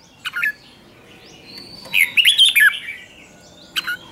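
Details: Red-whiskered bulbul lure bird singing to attract wild bulbuls: one clear half-second warbled phrase of slurred, wavering notes, framed by faint short chirps before and after.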